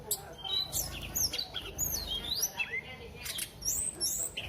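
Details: Flowerpecker in full active song, delivering piercing high-pitched chirps with swooping, sliding notes and fast ticking bursts repeated through the clip, over a soft low-frequency rumble.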